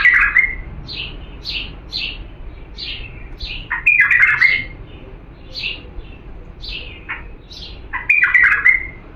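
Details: Authentic Diyala bulbul singing, a recording meant to tutor young birds: short, bright warbled phrases with slurred notes and rising whistles, repeated in quick runs with brief pauses between bursts, over a faint low background hum.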